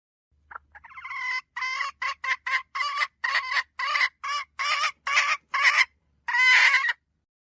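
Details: Hen calling: a few soft rising notes build into a fast series of about a dozen harsh, clipped cackling notes, then a longer, louder closing squawk. The background is otherwise quiet.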